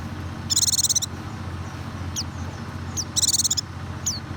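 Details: White-eye song used as a lure to make a reluctant bird sing: two bursts of dense, buzzy, rapid high twittering, with scattered thin downslurred chirps between them over a steady low hum.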